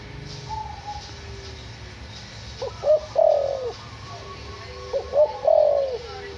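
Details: Captive white backspot spotted dove, six months old and tame, from Semarang, Indonesia, a frequent caller with kuk 1 nyandung 2 pattern; two cooing phrases about two seconds apart, each a short clipped note followed by a drawn-out falling coo.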